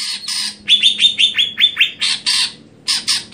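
Greater green leafbird singing a loud, harsh song, with a run of about nine quick descending whistled notes between bursts of rasping chatter.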